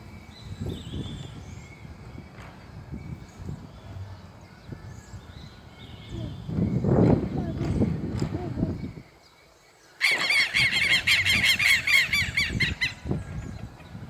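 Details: Two flocks of Southern lapwings, seemingly confronting each other, burst into harsh, metallic, rapidly repeated calls near the end, after a stretch of wind, low rumbling and faint voices.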